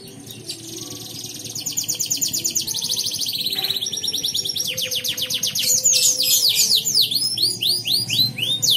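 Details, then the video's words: ['Mancini canary from Pontianak, West Kalimantan, singing for an online canary singing contest: rapid high trills and chains of fast descending whistled sweeps, growing louder and more varied toward the end over a faint low hum.'] "LOMBA KENARI ONLINE 10 - Aksi KENARI MANCINI"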